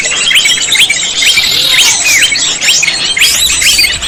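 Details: Greater green leafbird song used as a lure for trapping: loud, dense high chatter of quick sharp chips, rising slurred whistles and rapid notes repeating throughout without pause.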